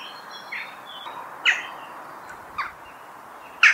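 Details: Western jackdaw giving short, sharp, clipped calls, three loud ones about a second apart near the end, over a quiet background with faint thin whistles from other birds.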